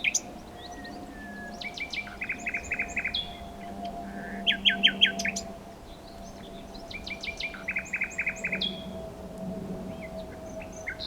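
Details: Nightingale singing in varied bursts: stacked rapid repeated notes, chattering trills and short whistled phrases separated by brief pauses, over a steady low hum.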